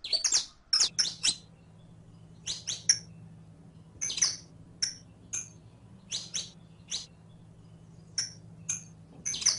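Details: Captive saffron finch, called canario criollo, used as a tutor recording to teach a caged bird to sing: bursts of sharp, high chips and short twittered notes in uneven clusters, spaced by brief pauses, over a faint low hum.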